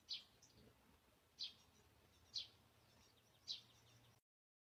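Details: Great spotted woodpecker (Dendrocopos major) call: four sharp, high 'kik' notes spaced about a second apart, over a faint low hum.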